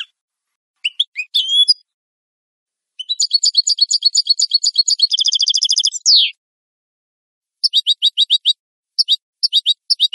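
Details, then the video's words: Clean European goldfinch song prepared for training captive birds: scattered twittering notes, then a fast buzzy trill that ends in a sharp downslurred note, followed by short groups of crisp repeated high chirps, with no background noise. "Canto limpio de Jilguero"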